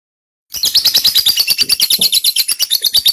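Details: Lovebird giving a long ngekek trill, recorded as tutor material for white-rumped shama; after half a second of silence, rapid high chattering notes start and repeat about three per second without pause.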